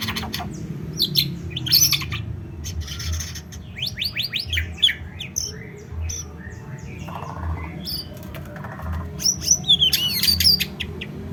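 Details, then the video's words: White-rumped shama singing a varied song of sharp whistled sweeps, rising and falling slurs and brief chattering notes, over steady low rumbling background noise. "Muraibatu f3"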